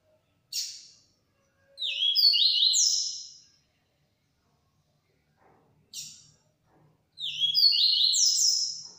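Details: Yellow-bellied seedeater in 'transformado' song: twice, a sharp buzzy chip is followed by a phrase of high whistled notes that climb and fall in steps, with silent gaps between.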